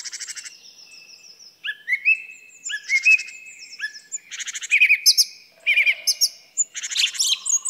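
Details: A song thrush delivers bright whistled phrases, several notes repeated two or three times, mixed with buzzy rattles and high squeaky bursts in a lively, steady flow.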